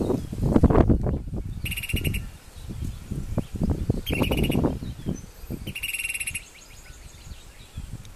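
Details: Loggerhead kingbird, Tyrannus caudifasciatus, singing in Caguas; its peculiar song, like a whistle or a small maraca, comes as high rattling buzzy bursts about a second long, repeated three times, over loud low rumbling and rustling noise.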